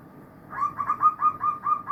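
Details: Zebra doves singing together in a chorus, one bird delivering a run of six or seven mellow, rolling coo notes at a steady pitch, evenly spaced.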